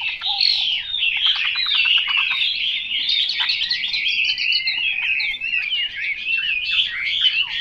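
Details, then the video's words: Chinese hwamei singing a continuous, rich run of varied whistled phrases with quick slurred notes and rattling trills, loud and unbroken throughout with little background noise. "Họa mi mộc dở 09"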